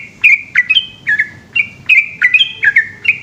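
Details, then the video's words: Yellow-vented bulbul from Indonesia singing a long ropel song at night: bright, bubbly whistled notes, each a quick drop then a short level tone, delivered in a steady run about three per second over a low hum. "burung trucukan gacor ropel panjang dimalam hari"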